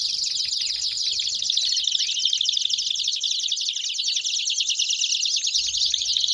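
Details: A group of Belgian canaries singing: bright, high, rolling trills run continuously, densely layered, with quick downward-slurred notes and no pauses.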